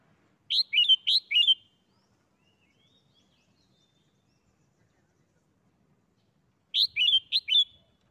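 A red-whiskered bulbul sings two quick bursts of four bright, liquid whistled notes, the second burst about six seconds after the first, with a quiet background.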